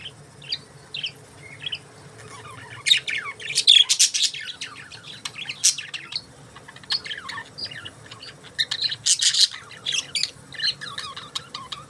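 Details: Several budgies chattering: continuous high warbled chirps and squeaks, with bright rasping bursts near four and nine seconds.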